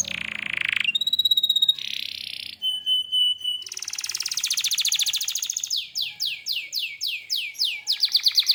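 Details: Canary singing a varied, energetic song: a fast buzzy trill, clear steady whistled notes, a rapid rattling roll, then a series of quick downward-swept whistles repeated about twice a second, in a clean recording.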